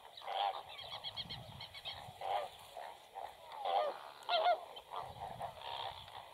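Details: Black-winged stilt (Himantopus himantopus) at a nest with two newly hatched chicks and one egg still unhatched: nasal, yapping notes in quick uneven bursts, some longer and slurred, over a low background rumble.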